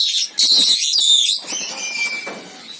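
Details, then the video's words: Senegal parrot giving harsh, noisy squawks with a brief thin whistle, then a fading high whistled tone and softer scratchy calls. "SENEGAL PARROT SOUNDS - Suara Kicau Burung Beo Senegal"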